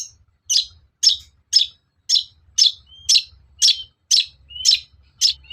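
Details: Long-tailed shrike lure to make other shrikes agitated and answer: loud buzzy harsh notes repeated steadily about twice a second, with occasional thin whistled slides between them and a faint low rumble.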